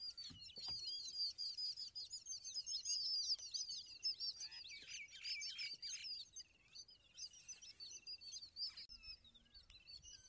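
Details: Several yellow-billed babblers mobbing an Indian eagle-owl give alarm calls, a dense, harsh, squeaky chatter of overlapping fast notes rising and falling with no pause.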